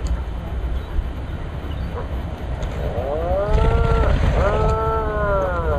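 Atlantic puffins give low, drawn-out groaning moans with wavering pitch, two or three overlapping in quick succession, over a steady rumble of wind and surf.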